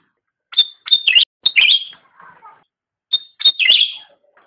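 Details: Black-headed Bulbul song recorded as a master track for training songbirds: two bursts of bright, quick chirps and slurred whistles, each about a second long, with a softer warble between them.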